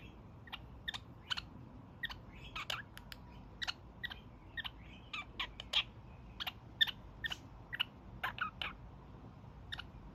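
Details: Pet young male kakariki during his daily evening honking session: a long run of brief raspy, nasal honks and chatter notes, loose and uneven in rhythm, with quiet room hum underneath.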